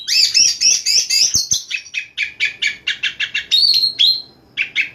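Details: Night-time song of an Oriental magpie-robin in 'nyembur' bursting style: sharp high whistled notes, then a long series of rhythmic harsh chattering bursts, a brief clear whistle and a short pause before more chatter.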